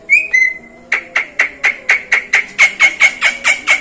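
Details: Javan myna (jalak kebo), a clever mimic of other birds and even human voices: a rising whistle, then a steady run of sharp, even notes repeated about twice a second.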